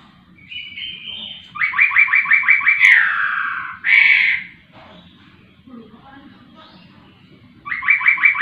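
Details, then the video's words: A laughingthrush opens with a soft higher phrase, then a burst of about eight rapid buzzy notes, a long falling slur and a loud short phrase. After a pause of a few seconds the fast repeated-note series starts again. Faint low background hum. "poksay rowo super gacor"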